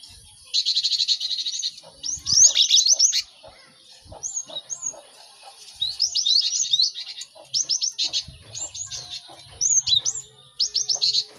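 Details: Cinereous tits kept caged together, many singing as a training chorus for fast song learning: buzzy trills alternating with clusters of sharp, rapid high notes and brief thin whistles, repeated in bursts.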